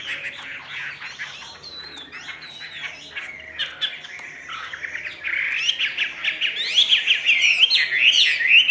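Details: Captive Chinese hwamei in full varied song: a tumbling run of whistles, slurs and quick chirps that grows louder and more excited toward the end, with faint low room hum underneath.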